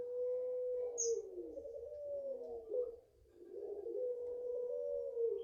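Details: Long cooing of a five-month-old Barbary dove (puter pelung) bred in the owner's garden: sustained notes with wavering downward slurs, a short dip, then another long steady coo, and a single high chirp of another bird.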